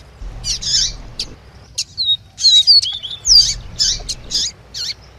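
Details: Double-collared seedeater, tui tui song with a female's piping calls, for firing up a captive male: fuzzy high chirp bursts alternate with clear, thin descending whistles in an uneven rhythm.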